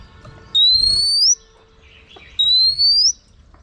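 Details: Female oriental magpie-robin whistling to excite male birds: two long, smooth, rising whistles with a slight upward flick at the end, almost two seconds apart, over a faint steady hum.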